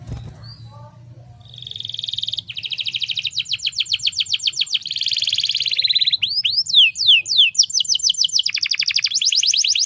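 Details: Female canary in breeding condition calling as a lure to get males singing; after a quiet start with low background murmur, fast buzzy high trills give way to looping whistled sweeps and dense rattling runs.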